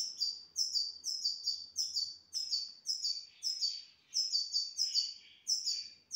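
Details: A caged grey-headed goldfinch from Istaravshan sings rapid, ringing high chirps in tight clusters, phrases following almost without pause for several seconds, clean and loud against a silent room.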